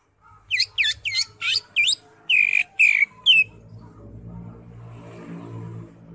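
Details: Caged green leafbird singing energetically, a recording meant to coax a mute bird into song: a quick string of sharp, steeply sweeping chips, then three longer buzzy whistled notes, followed by low background hum and murmur.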